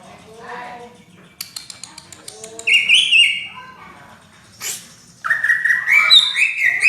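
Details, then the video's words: Greater green leafbird (cucak ijo) singing vigorously in the dense 'rapet' style, likened to a magpie-robin, used as a tutor song: soft warbles, sharp clicks, then bright whistled trills near two seconds and again at the end. "Burung Cucak Ijo Gacor Suara rapet - cucak hijau Gacor rasa kacer"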